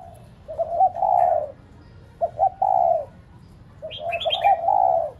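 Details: Spotted dove decoy cooing to stimulate pet doves: three phrases of stuttering short notes rising into a longer descending coo; near the end a brief higher chirping bird joins.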